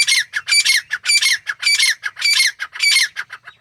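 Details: Wild grey francolin (teetar), male and female pair in jungle habitat; loud, harsh rhythmic calling, each phrase a cluster of grating syllables repeated about twice a second.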